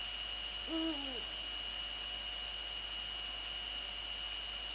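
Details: Eurasian eagle-owl hooting near a nest with a female on it and male nearby, Netherlands, 2 February 2013, 19:15 in the evening; one deep hoot sliding downward at its close, against a strong hiss and hum.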